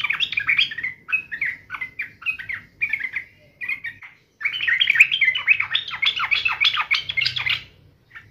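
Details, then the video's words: Sooty-headed bulbul in a raging fighting mood: a string of separate short warbled phrases with brief pauses, then a long, dense, fast torrent of chattering, bubbly notes. "trucukan gacor FULL TARUNG NGAMUK"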